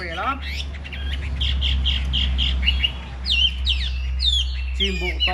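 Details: Caged Chinese hwamei, a big-framed bird in fighting display, singing strong phrases of sliding whistled notes and a run of downward-swept notes, over a steady low hum, with a brief low voice-like sound at the end.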